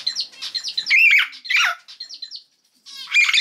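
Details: A three-month-old common hill myna, sex not yet known, not yet able to talk, gives a string of harsh, raspy squawks and chattering notes, breaks off briefly, then starts another scratchy burst.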